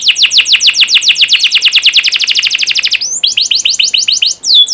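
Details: Canary master recording for training young canaries: a sustained rapid trill of falling notes, shifting after three seconds to slightly slower chirped slurs and a final high whistle.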